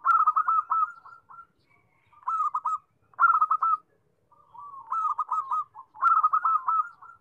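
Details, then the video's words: Zebra dove repeating quick, bubbling coo phrases of staccato trilled notes ending in a held tone, five phrases in about seven seconds, steady pitch, against a quiet background. "Suara perkutut"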